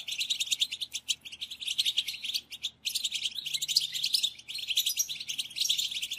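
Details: European goldfinch recording played to lure birds for trapping: continuous rapid twittering and jangling notes, with a brief silent break near the middle before the chatter picks up again.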